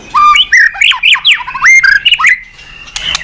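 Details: Loud White-rumped shama song used as a lure to make other birds sing: rich, fluty whistles leaping sharply up and down in quick succession, fading into a thin drawn-out note and a brief rasp.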